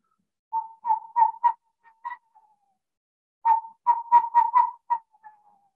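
Western Screech-Owl giving two series of hollow, mid-pitched toots that speed up like a dropped ball, each ending in a quick tremolo before fading.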